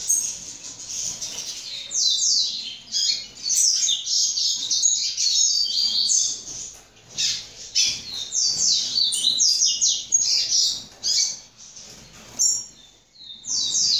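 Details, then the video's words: Young double-collared seedeater, a second-generation bird, practising a long string of high, sharply slurred whistled notes in repeated short phrases separated by brief pauses. "FILHOTE DE COLEIRO"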